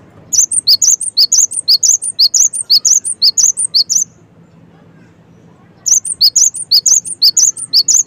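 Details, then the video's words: Energetic cinereous tit song, clean high notes repeated rapidly in two long bouts with a pause of nearly two seconds between them. "suara GELATIK BATU gaCoR"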